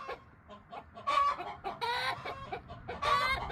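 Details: Talkative backyard chickens, a free-range flock including bantam Silkies, giving loud drawn-out clucks and squawky calls in a few bursts over softer murmuring.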